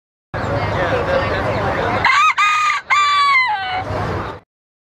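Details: Rooster seen at the 2011 Tomatomania event, giving a harmonic cock-a-doodle-doo in about three segments, with short breaks between them and a drawn-out, falling final note, over steady background din before and after.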